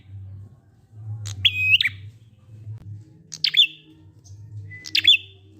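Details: Prinia singing in the ngalun style from Indonesia, used to coax silent prinias into singing: three high, sharp phrases, each a quick click leading into a short steady whistled note, over a low continuous hum.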